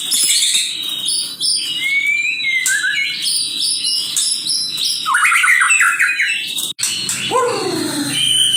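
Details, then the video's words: Male white-rumped shama singing aggressively: a dense, varied medley of whistles, buzzy trills and rapid stepped note series, ending with loud down-slurred notes, with a brief click near the end. "pancingan murai gacor"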